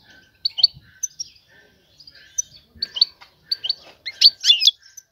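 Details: A female European goldfinch calls to draw a male for mating: sparse, high, sharp chirps in small clusters, building to a louder twittering burst near the end.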